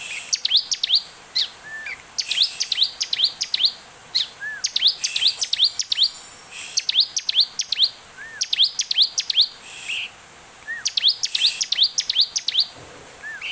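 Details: Bar-winged prinia song played as a lure to trigger singing: repeated phrases of quick, high upslurred notes, with a soft arched whistle after several phrases, over a long sequence.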